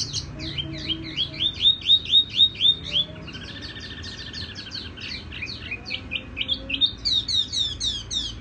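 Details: A tiểu mi sings softly with a ringing tone: fast, even series of upslurred notes, about four a second, a lower buzzy warble, then rapid high trills and twitters.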